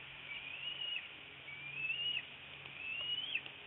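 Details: Bald eagle feeding its eaglet a freshly delivered fish at a nest in northeast Florida, 10:31 am, 25 February 2018; three drawn-out, piercing whistles, each rising then dropping at the end, roughly one per second, over faint hum.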